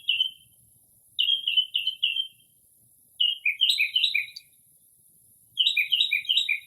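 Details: Northern mockingbird's midnight song in early spring, copying calls of various birds: a single note, then strings of three to four slurred chirps, shifting to denser, doubled phrases; quiet night backdrop.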